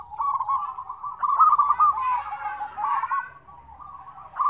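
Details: Noisy group of zebra doves cooing together as a lure for doves that rarely call; rapid rolling coo phrases overlap, with a hissy rustling background in the middle and a sharp louder note at the end.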